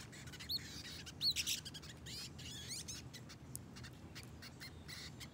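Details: A baby brown-headed nuthatch being hand-fed gives a few sharp, high squeaky chirps in the first two seconds, then softer scattered notes, over a constant low rumble with clicks and rustles.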